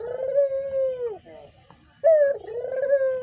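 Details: Brown-coloured pet Barbary dove, its sweet call suited for use as a lure: a long, smooth, low coo held steady and then dropping, a pause, then a second strong drawn-out coo with a dip in the middle; faint background hum.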